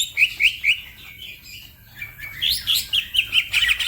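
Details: Green leafbird in fast song for training other birds: bursts of short rising whistles and chirps, a quieter pause in the middle, then another rapid run of bright notes.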